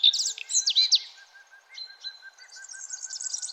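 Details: Early-morning birds at sunrise: loud, quick, slurred chirps at first, then thin drawn-out whistles and soft high twittering over a faint steady background hum.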